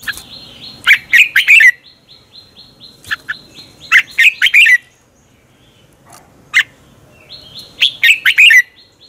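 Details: Red-whiskered bulbul morning competition song used as a lure for training: repeated bubbly phrases of four to six quick whistled notes about every three seconds, with a steady faint high whine in the background.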